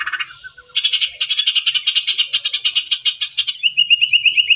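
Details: Murai batu 'gacor' song to rouse shamas that sing little: a short note, then a long rapid rattling chatter, ending in a string of quick thin rising notes.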